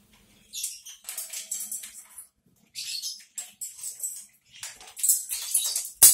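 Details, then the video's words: A male parrot, said to pretend he can't talk, gives harsh, hissy, scratchy chatter in uneven bursts of one to two seconds with short pauses between. "Samík dělá, že neumí mluvit"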